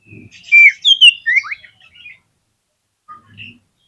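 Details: Oriental magpie-robin lure song for making other magpie-robins sing: a quick run of loud, bright whistles and slurred downward sweeps, then soft scattered notes and a faint low thump.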